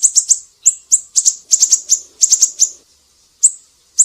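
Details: Siri-siri in full song for a tutor recording: fast clusters of sharp, high chirps tumbling close together, then a pause and two isolated notes, with a faint low murmur in the middle.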